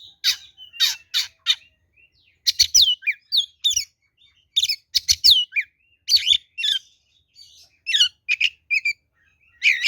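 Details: Kacer, the oriental magpie-robin, in fighting song used as a lure: repeated harsh rasping notes opening into a long lively series of chirps, whistles and slurred phrases with short pauses.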